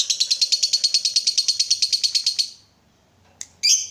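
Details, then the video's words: Fighter lovebird performing ngekek, the long chattering song used to stimulate other lovebirds: a rapid, even string of about twenty high buzzy notes over two and a half seconds, then silence and one harsh squawk. "PANCINGAN SUARA BURUNG LOVEBIRD UNTUK MERANGSANG LB APAPUN CEPAT NGEKEK"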